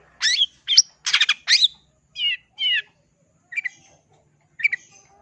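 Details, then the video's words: Cendet, the long-tailed shrike, singing a few loud chattering bursts followed by spaced, slurred buzzy notes and two softer phrases, the last ones separated by roughly a second of quiet. "cendet mana yg gak oleng jika di adu dengan cendet ini"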